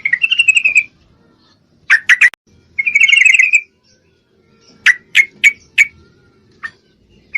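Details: Female Yellow-vented Bulbul in breeding condition calling a male: two short bubbly chattering trills near the start and middle, separated by bursts of sharp clipped notes, with a run of quick separate chips later.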